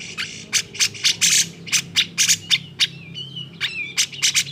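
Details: Agitated grey-cheeked bulbul song to provoke others into singing: a steady stream of sharp chirps and short harsh rasps, with a brief pure whistled phrase dipping in pitch near the end.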